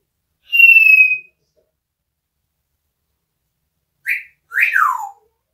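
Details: Pet parrot known for talking and laughing gives a clear, steady high whistle lasting under a second, then after a pause two short, harsh, downward-sliding squawk-like calls, in a quiet room.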